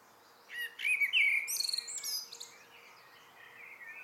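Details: A common blackbird sings at dusk: a rich whistled warble sliding up and down, topped by a thin high chittering coda, with faint notes after.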